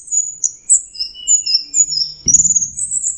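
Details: High, thin whistled strands from an orange-headed thrush, long drawn notes at shifting pitches, ending in a sudden scratchy burst and a rapid high trill.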